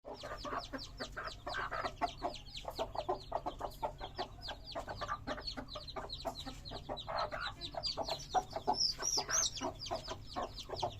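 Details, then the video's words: Colourful chicks of domestic hens peeping in a dense chorus, with many rapid, high, downward-sliding cheeps overlapping almost continuously over a low steady hum. "the sweet sound of hen babies"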